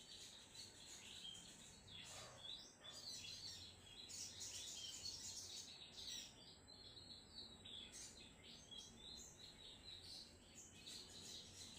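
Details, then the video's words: Sogon trotol singing vigorously, a busy stream of high, thin chirps and short trills packed close together, with brief louder bursts around the middle and a steady low hum underneath. "sogon trotol gacor bosku"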